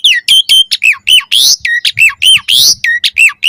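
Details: Asian pied starling training song for caged birds, harsh and squawking: a rapid string of loud, rasping notes with falling whistled slurs and two noisy bursts, almost no gaps.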